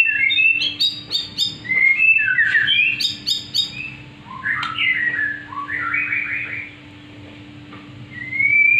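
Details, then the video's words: Black-winged myna learning to sing, pouring out rapid chirping phrases with stacked, buzzy notes, then a pause and a single rising whistle at the end, over a faint hum. "Muray pastol blajar gacor"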